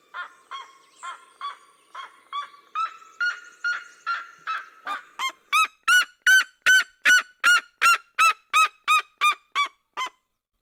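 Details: Seriema of the Cerrado in duet: a steady run of yelps grows louder and faster, ending in a powerful, regular volley of loud, ringing barks nearly three per second.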